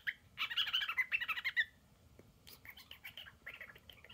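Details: A male pet cockatiel gives a burst of squeaky, chattering notes imitating a squeaky dog toy, and a high-pitched rolling 'brrrr' trill like a drill; the owners do not know where he learned these sounds.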